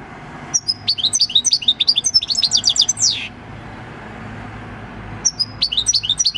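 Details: European goldfinch, six years old and caught in the field, delivering its natural country song on 26 December 2019: a dense, fast chattering trill ending in a falling slur, then silence before another twittering burst.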